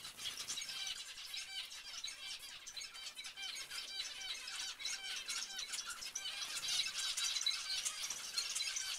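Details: Zebra finches giving dense, overlapping nasal calls from many birds at once, a busy chorus of short harmonic honks and chatter with brief pauses.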